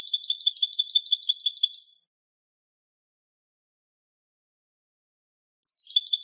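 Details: European goldfinch delivering clean song, a fast high chattering trill of repeated notes ending after two seconds, followed by a long silence and a new trill beginning at the end.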